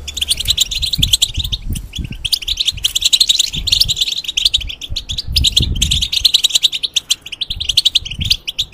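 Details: Molting European goldfinch in a cage singing a lively, dense twittering song of quick high chirps and trills, with low rumbling knocks throughout.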